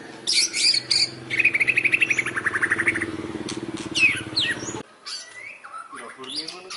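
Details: Song of a white-rumped shama copying fighting sparrows: harsh chirps lead into a fast run of buzzy, chattering notes at about three per second, then a pause followed by scattered whistled sweeps and chirps; a low hum lingers until near the end.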